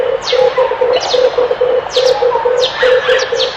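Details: Low pulsing coos from a red collared dove, delivered in fast regular groups, overlaid by descending high-pitched whistles and chips of other birds.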